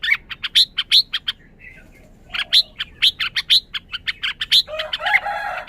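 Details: Caged Red-whiskered bulbul delivering quick bursts of loud, sharp chirps with little upward-flicking whistles, falling silent for about a second before resuming; ends with a louder, buzzy chatter.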